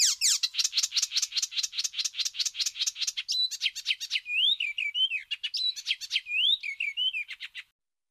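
Icterine warbler in fast, varied song: a long run of rapid repeated chirps, then sliding whistles and harsh notes mixed in, continuous and high-pitched.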